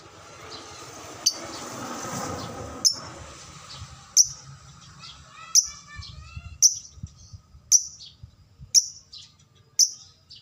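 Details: Lovebird used as a lure to spark long ngekek chattering: a string of sharp, high, clipped chirps about once a second, with a few lower chattery notes midway, over steady low hum.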